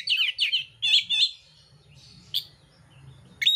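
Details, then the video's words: An oriental magpie-robin of the mintal variety sings a combative song with harsh fill-ins. A quick string of rich, warbled notes is followed by a quiet stretch broken by two sharp, high chips. "kacer mintal tarung bongkar isian kasar"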